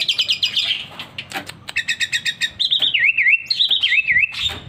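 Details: Sooty-headed bulbul living among many other birds at home and slowly learning to copy them: a quick run of rhythmic chirps, then loud, wavy warbling whistles rising and falling in two phrases.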